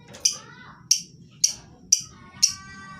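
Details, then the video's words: Lovebird used as a lure to get reluctant birds of any lovebird type to sing: five sharp, shrill high chirps spaced about half a second apart, each with a faint lower whistled tail, over a low steady hum. "Lovebird jenis apapun dijamin pasti ikut bunyi, pancingan ampuh bagi burung yang malas bunyi"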